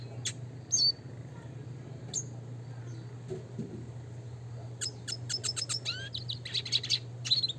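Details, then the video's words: Red siskin, classic training song: a quiet opening with a few isolated high chirps, then a quick run of sharp ticking notes and rising whistles toward the end, over a steady low hum. "pancingan suara kicau burung red siskin klasik gacor nembak ngeroll"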